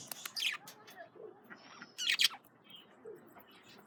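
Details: Male budgerigars eating carrots give scattered short, sharp chirps and a few squeaky notes, with quiet pauses between bursts.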